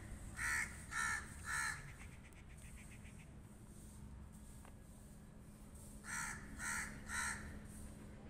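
A crow gives two bursts of three harsh, evenly spaced caws, about half a second apart, with a low steady hum beneath.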